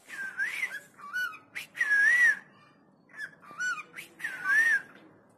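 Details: Cockatiel singing sweetly: clear whistled phrases that rise and fall in smooth arcs, broken by short sharper notes and brief pauses, recorded indoors with little background noise.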